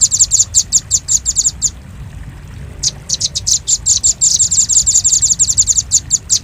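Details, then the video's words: Lure recording of a velvet-fronted nuthatch: bursts of thin, high, sharp notes in quick succession, a near-silent gap midway, then a denser rattling run over low steady background noise. "Suara pikat burung rambatan paruh merah paling ampuh"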